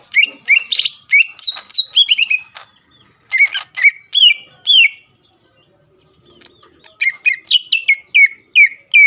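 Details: Song of a greater green leafbird, used to stir rival leafbirds into singing: dense bright chirps and slurred whistled notes come in three rapid bursts with quiet gaps between them.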